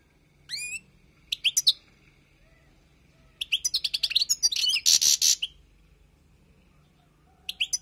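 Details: Wild European goldfinch song for tutoring: scattered sharp chirps and short twitters, a burst of quick notes with one harsh buzzy note, separated by quiet gaps.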